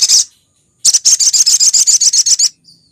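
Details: Female sogok ontong sunbird calling the male, lure recording, Indonesia: a single sharp high chip, then about twelve fast, evenly spaced high ticking notes in a rapid series.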